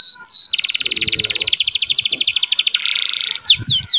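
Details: Energetic canary song meant to train young canaries and trigger breeding readiness in females: a long rapid rolling trill of pulsed notes, a shorter lower buzzy roll, then several clear downslurred whistles.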